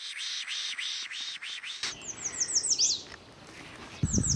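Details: A male Magnolia Warbler sings from an exposed perch in Sax-Zim Bog, northern Minnesota, on 14 May: a quick run of about six slurred, arched 'weedy weedy weedy' notes, then thin high chirps of other birds and a low rumble.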